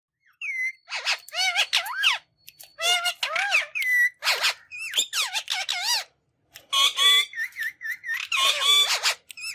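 A rose-ringed parakeet chatters in quick bursts of squeaky, rising and falling syllables, some almost speech-like, with brief pauses and no other sounds.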